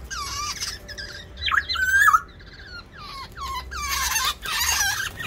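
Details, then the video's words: Black-naped orioles fighting in an aviary to defend or seize territory; a mix of fluty, slurred whistles and harsh, scratchy bursts overlap, with louder harsh calls toward the end. "Pertarungan burung kepodang di dalam aviary"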